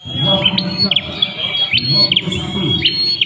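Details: Ashy prinia singing a steady, high, thin whistled line broken by sharp, quick downward flicks roughly every half second, over a low rumbling background murmur.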